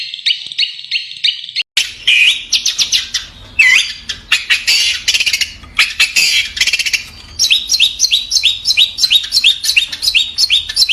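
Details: Caged long-tailed shrike at a bird seller's in Bondowoso, heard while a buyer picks one out: a dense, varied medley of sharp chirps and harsh rasping notes, ending in a fast series of repeated upslurred whistles.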